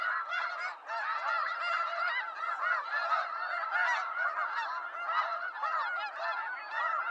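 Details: Snow geese in the wild, a large group producing continuous loud nasal honks and yelps that overlap densely throughout.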